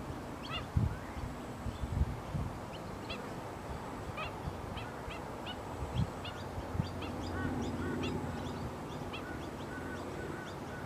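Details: Black-winged stilt calls: many short, sharp, high yapping notes repeated in quick irregular series, some overlapping as from several birds, over a steady low rumbling background with occasional thumps.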